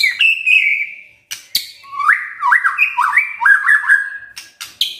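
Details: Kretekan and tembakan song of a white-rumped shama: a sustained whistle, sharp crackles, then a fast chain of swooping zigzag whistled notes and more clicks at the end.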